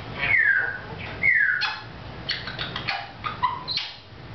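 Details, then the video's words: Pet African grey parrot chatting with its owner indoors: two slurred descending whistles, then a string of clicks, short chirps and mumbled vocal notes, with a faint background hum. "African Grey Parrot Chatting"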